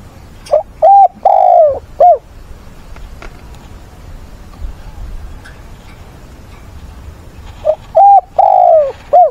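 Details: A decoy spotted dove's weekend fighting song on 6 September, meant to draw wild doves and call mates. Two deep cooing phrases about seven seconds apart, each ending in a drawn, falling croo over faint background noise.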